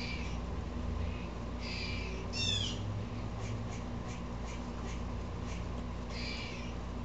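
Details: An agitated Blue jay gives a few scratchy, downward-sweeping calls, one louder burst near the middle and softer ones around it, over a constant low droning hum.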